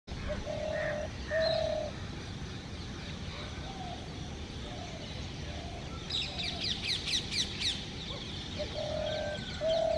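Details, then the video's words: Male spotted dove in a tree calling to a female for nesting, giving soft, low, hollow coos in short groups with pauses between phrases, while small birds twitter brightly in the background. "Spotted dove cooing to attract female"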